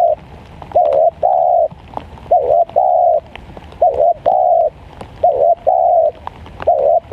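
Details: Spotted dove cooing in the rainy season in steady low phrases: a short hooked note followed by one or two longer, mellow coos, repeated about every one and a half seconds.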